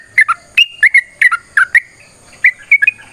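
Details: Short stretch of yellow-vented bulbul fighting song used to prompt other birds to sing: clear, fluty whistled notes in quick pairs and triplets, some dipping, others held briefly level.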